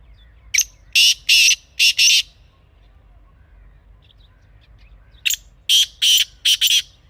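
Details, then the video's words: Wild kala teetar, the black francolin of Pakistan, calls twice in natural surroundings: each phrase a short sharp note plus four harsh, rasping bursts, separated by about three seconds of quiet. "Real Kala Teetar Sound"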